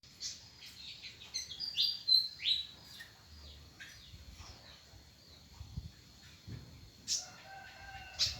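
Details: Leafbird caught by trapping this morning, giving a rapid run of sharp high chirps and downslurred whistles, several notes a second, then a thin, steady, sustained whistle with soft rustling behind.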